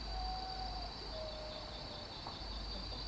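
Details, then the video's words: Common potoo (urutau, Nyctibius griseus), an urban nocturnal bird at Lídice, gives two long, soft, mournful whistles, each sliding slightly lower, over a steady high insect drone and low background rumble. "Urutau (Nyctibius griseus)"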